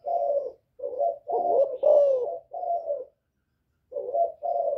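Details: Calling to provoke rival males, a spotted dove with a Thổ voice utters rounded, low coos in a steady chain, one longer descending note in the middle, then a short pause before more coos.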